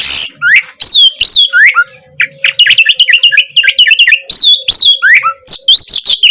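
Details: Oriental magpie-robin in full song, played to prompt a reluctant bird to sing: clear slurred whistles rising and falling, dense chattering trills in the middle, scattered scratchy notes between phrases.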